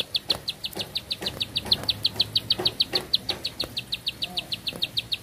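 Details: Bar-winged prinia performing a long, breathless song of brisk, high, staccato chips repeated at a fast, regular pace in a quiet setting.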